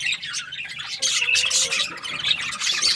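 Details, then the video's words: Budgerigar flock chirping, scratchy squawks and short whistled notes layered over one another, growing louder after the first second. "Budgies parrot chirping sounds"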